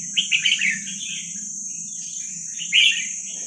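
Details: Young wild red-whiskered bulbul of Vietnamese stock, used to train young birds: a short cluster of chirpy warbled notes, a long pause, then one more brief burst. A steady high whine and a soft low hum continue throughout.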